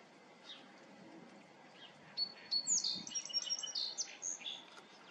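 A Song Sparrow sings a bright phrase: clear opening notes, then a quick jumble of high tinkling and buzzy notes over about two and a half seconds.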